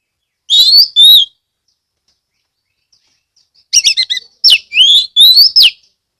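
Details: Oriental magpie-robin (kacer) song from Kebumen, Central Java, Indonesia, meant to prompt other magpie-robins to sing: two whistled notes, a pause, then a rapid run of sweeping whistles and slurs.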